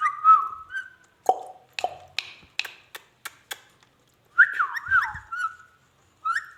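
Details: Ringneck parrot talking: warbling, voice-like whistled phrases at the start and again near the end, with a run of sharp clicks and taps between them.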